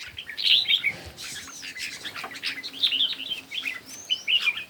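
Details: Morning competition singing of red-whiskered bulbul, bright chirped and warbled phrases rising and falling in quick bursts, separated by brief pauses, with faint clicking and rustle in the background.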